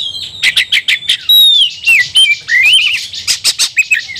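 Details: Oriental magpie-robin singing energetically while provoked to fight and displaying: quick bursts of sharp chirps, then clear whistled notes that slide down and rise, mixed with harsh buzzy fragments, all high-pitched and fast.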